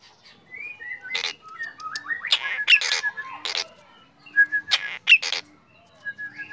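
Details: Morning song of a black drongo, sung actively: dense harsh scraping bursts, rising and falling whistled slurs and brief beaded notes, coming in irregular clusters with short pauses.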